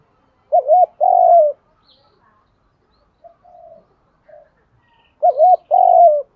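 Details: Spotted dove cooing to stimulate other doves to coo and fight: two loud low, two-part coos, a short wavering note then a longer falling one, separated by softer distant coos.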